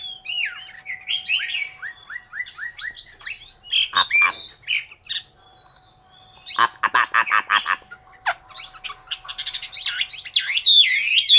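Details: Vietnamese caged Chinese hwamei from Hanoi singing varied phrases: descending whistled notes, a rapid series of dry rattling pulses near the middle, then high sweeping whistles and squeaky trills toward the end.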